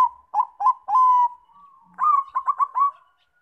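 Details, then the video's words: Zebra dove of the Bangkok type singing as a lure for other doves: short clipped coos leading into a long steady note, then after a brief gap a quick stuttering run of bright notes ending in a held coo. "PANCINGAN BUNYI PERKUTUT BANGKOK"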